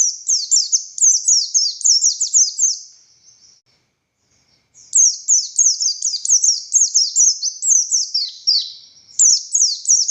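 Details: Oriental white-eye of the buxtoni form singing in the energetic ngalas style: fast runs of high, thin, downslurred whistled notes, about three or four per second, pausing briefly mid-way before resuming.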